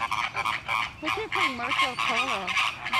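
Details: Loud honking calls from Caribbean and Greater Flamingos in a noisy flock where fights break out; overlapping harsh honks with wavering nasal notes, a person laughing nearby.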